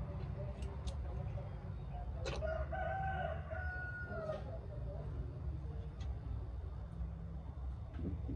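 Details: Chickens inspecting new coops; a drawn-out, slightly wavering tonal call, possibly a rooster crow, lasts about two seconds and is set against a constant low rumble, with scattered sharp clicks and taps.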